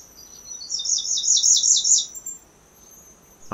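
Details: A Grey-breasted Prinia (Prinia hodgsonii) sings from a garden in Phetchabun, Thailand, a rapid, high, slightly buzzy run of repeated notes lasting about a second and a half, followed by a brief sound at the end.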